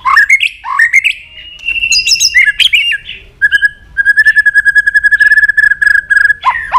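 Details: Fired-up White-rumped shama, a kept bird singing in many voices while flicking its tail, opens with rising whistles and buzzy notes, then holds a long rapid trill of repeated clipped notes, ending on a sharp slur.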